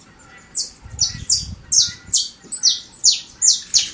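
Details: Saffron finch (canário-da-terra-verdadeiro), living free in nature, singing strongly: a steady series of about eight sharp, high, buzzy notes, each roughly half a second apart, over quiet background.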